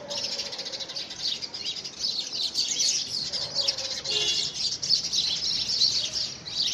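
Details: Early February 2017: a flock of house sparrows battles over a homemade nest box. Continuous, excited high-pitched chattering, with rapid chirps overlapping and rising and falling in bursts.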